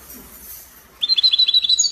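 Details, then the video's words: European goldfinch in Spanish copia song style from Morocco: after a hushed second of faint hiss, a quick high run of repeated twittering notes begins and continues to the end. "Chardonneret copia Morocco من أجمل تغريد الطائر الحسون تغريد كوبيا إسباني"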